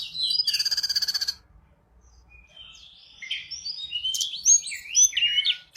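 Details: Sunda robin, a mountain bird used as a lure for other birds, singing in full voice: a rapid buzzy trill high in pitch, then a run of varied whistled and chattering notes.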